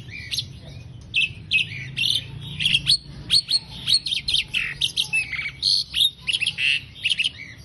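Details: Asian pied starling chattering song for use in songbird training: scattered squeaky whistles building into a steady series of loud, harsh, high notes repeated about twice a second, with a faint low hum underneath.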